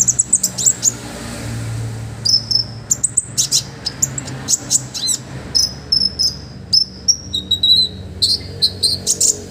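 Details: Olive-backed sunbird song used as a master recording for training other birds: sharp high chirps and brief whistled notes in uneven clusters, some rising flicks, over a faint low background drone.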